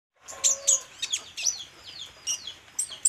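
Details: Olive-backed sunbird in lively, vigorous song, showing off its varied song elements: very high, thin chips and quick downslurred notes in bursts, with a faint steady low tone underneath.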